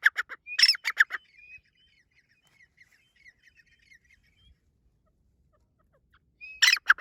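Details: Grey francolin in breeding season: a harsh burst of squawky clipped notes, then a long pause with a few faint thin whistles, before another loud scratchy burst starts at the end.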